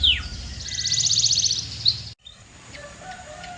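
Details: Canary giving a short falling note and then a dense high rattling trill lasting over a second, followed by a break and faint scattered chirps.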